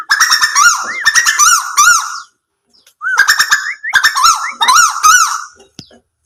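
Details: Nightjar calling in loud bursts of harsh, strongly harmonic notes that waver up and down, packed into phrases about two seconds long, separated by brief silences.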